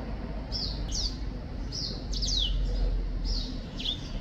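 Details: Black-throated finch song: a few spaced high downswept whistles and short slurred notes in small clusters, separated by gaps of about a second, against a constant low-pitched hum.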